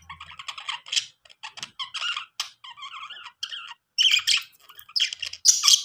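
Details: Budgerigars playing and making happy sounds: rapid, scratchy warbles and chirps with short squawks, running almost nonstop in high-pitched bursts, in a quiet indoor setting.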